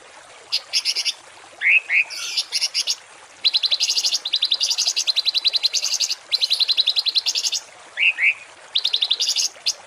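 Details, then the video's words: Harsh 'tembakan kasar' songbird phrases used to train cage birds for home keeping or contests: short buzzy bursts, two rising chirps, then long rapid rattling volleys of high harsh notes, ending with chirps and buzzes. "MASTERAN BURUNG TEMBAKAN KASAR || Suara Masteran kasar langganan juara"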